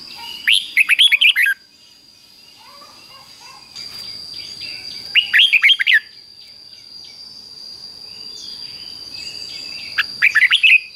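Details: Doubled-style song from a caged red-whiskered bulbul, fik-jik-fok, played for young birds to copy. Three quick warbled phrases roughly five seconds apart, with faint background chirping from other birds and a constant high electronic tone.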